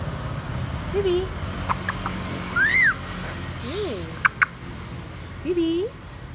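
A grey parrot gives a varied string of whistles and squeaks, some arching up and down, some low and wavering, with sharp clicks over a low background hum.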